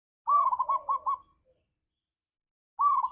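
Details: Spotted dove lure song for a pet dove: a fast rolling trill of bright repeated notes for about a second, starting again after a silent pause.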